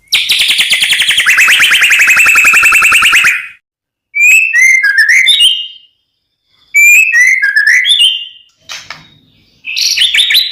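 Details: White-rumped shama song: a long buzzy rattling trill of rapid repeated notes, then pauses and bursts of sweet, varied whistled phrases sliding up and down, loud and clear with no background sounds.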